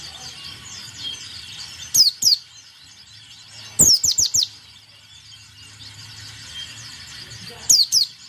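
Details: White-eye singing actively, a recording meant to make rival birds sing and deliver fast 'nembak' bursts: three short clusters of high, thin, rapid downslurred chirps, spaced a few seconds apart, over quiet background hiss.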